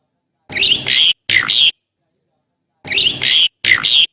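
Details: Javan pied starling calling to its mate, lively and vocal: rasping, chattering phrases mixed with squeaky whistles, delivered in two quick pairs of bursts with an abrupt silent pause between them.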